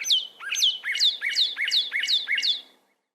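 Northern Cardinal song: a fast run of about seven bright, down-slurred whistled phrases, roughly two and a half per second, then silence.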